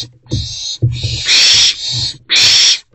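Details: Trio of wild owlets staying in their nest box, morning of 13 April 2024; loud, rasping, steam-like hissing screeches running almost continuously, with low thumps and scuffling beneath.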